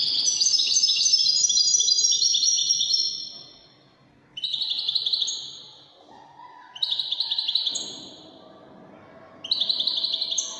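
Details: Widani song of an Algerian European goldfinch: an extended burst of high tinkling notes sliding downward, then three short ringing phrases separated by pauses of about two seconds.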